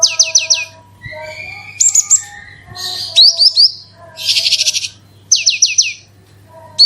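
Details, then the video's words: Branjangan (bushlark) song used as a lure to set other birds singing, in a loud 'gacor super roll tembak' style: fast bursts of high descending whistled notes alternating with buzzy trills, over a steady low hum and soft lower tones. "BRANJANGAN ANDA KURANG GACOR PANCING SUARA INI PASTI LANGSUNG IKUT BERKICAU"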